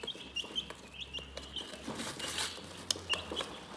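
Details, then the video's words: Calm chickens give short, thin, high peeps in small clusters, some sharper and brighter toward the end, with a soft low hum and light rustle in the background. "Chicken Relaxing Soothing Chirping Sounds"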